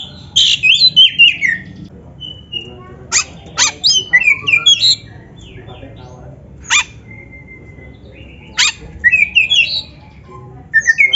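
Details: Oriental magpie-robin, locally kacer, singing for training: scattered phrases of harsh buzzy clicks and bright slurred whistles, with a long pure whistled note midway and several quiet gaps.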